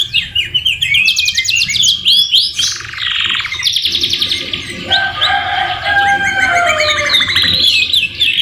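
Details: Canary singing a tutor song rich in white-rumped shama (murai batu) fill: high pulsed trills, looping whistles, then a long warbling lower passage over several seconds.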